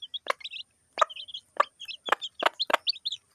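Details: A hen and her chicks at feeding time in a village; short high peeps come in small runs between loud sharp pecks every half second or so.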